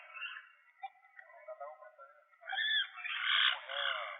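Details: Puerto Rican parrot (Amazona vittata), an endangered endemic, during fitting of tracking transmitters: harsh, raspy squawks building into louder, grating screeches in the second half, broad and noisy with nasal overtones.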